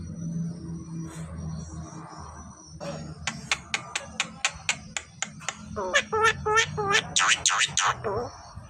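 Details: Javan myna, described as a clever talker and suited as a model bird for teaching other songbirds, giving a fast series of sharp, clicking notes about three per second, then louder harsh, rasping bursts, over a faint steady hum.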